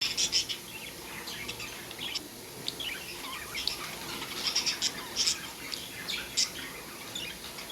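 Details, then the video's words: Pet budgerigars chirping: a busy scatter of short, high, sharp tweets and chips, several overlapping, with brief louder bursts and no steady rhythm over a faint background hiss. "budgie sounds"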